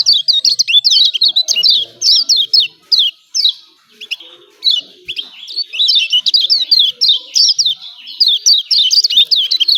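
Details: Continuous, energetic chattering of a Lombok yellow white-eye, the 'ciak ciak' style: dense runs of high, downslurred chirps packed closely together for ten seconds, with one brief lull midway.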